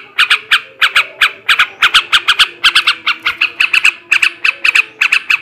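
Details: Male yellow-vented bulbul in a 'ngebrem ngekek' singing style, used to stir breeding condition in other bulbuls: harsh, squawky notes rapidly repeated in pairs and short runs, about four to five per second, without pause.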